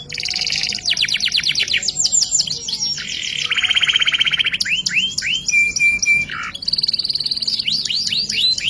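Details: Canary in full 'isian' song of the 'ngerek' style, used as masteran training audio: fast trills and rapid buzzy rattles, then long steady buzzes, rising swooped notes and a flat whistled tone, delivered continuously and loudly.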